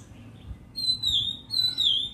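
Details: Oriental magpie-robin singing: two clear drawn-out high whistles, the second wavering and falling, over a low background rumble.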